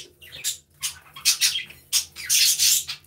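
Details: Budgerigars kept in an aviary give hoarse, raspy squawks and chirps in quick uneven succession, ending in a longer, harsh grating call.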